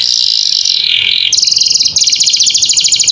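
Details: Pet canary training song: a long, smooth whistle sliding slowly downward, followed by rapid, very high, pulsed trills in two bursts.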